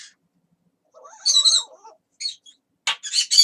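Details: Pet parrot known for talking, producing a wavering, voice-like warble with shifting tones, followed by harsh high bursts and a quick run of scratchy squawks.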